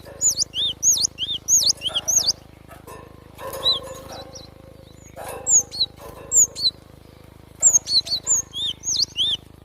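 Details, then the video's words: Rapid high-pitched swooping whistles from a Java sparrow in natural surroundings, uttered in dense clusters with intermittent pauses, over a low continuous hum. "GLATIK SUARA ASLI ALAM"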